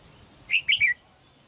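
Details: Single bright three-note phrase of falling chirps from a caged female red-whiskered bulbul in Thailand, calling to stimulate a young male to sing.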